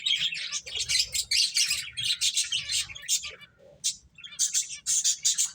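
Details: Finches chirp busily while playing, a stream of short, bright, high tweets repeated in quick runs, with a short pause in the middle before the chatter resumes.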